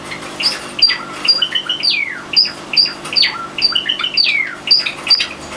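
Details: Seven pet Java sparrows let out of their cage to fly free indoors, February 2009: bright, sharp chirps and short downslurred whistles from several birds, overlapping in a lively, busy chatter with a faint steady hum underneath.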